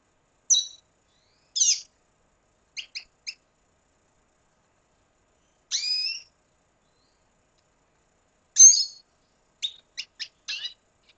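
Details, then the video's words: Red siskin from Venezuela giving sparse, high, slurred whistled notes and short ticking chips separated by long silent gaps. "Canto Cardenalito Venezuela"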